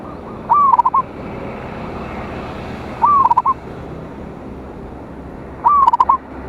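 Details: Zebra dove of local stock singing boldly to draw rivals: three evenly spaced phrases, each opening with a soft glide and closing in rapid trilled notes, against steady broadband hiss.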